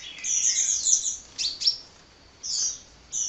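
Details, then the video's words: Kolibri, a hummingbird, giving a fast run of thin, high chirps. A couple of sharp, slurred notes follow, then separated bursts of squeaky twitter after short silences. "Kicau Burung Kolibri Ngocehnya Ngedyan Ra Leren Leren"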